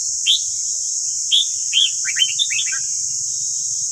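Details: Morning song of a red-whiskered bulbul, used to train caged bulbuls: three spaced, bright slurred whistles, then a rapid tumbling cluster of short warbled notes, with constant high-pitched hiss and a soft low rumble beneath.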